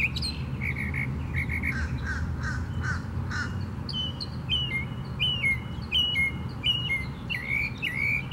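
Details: Northern mockingbird in song at Tattnall Square Park, May 11, 2015, switching between phrase types: repeated whistled slurs, rough chatter, then a series of bright rising-falling notes repeated about once a second, with low traffic-like rumble beneath.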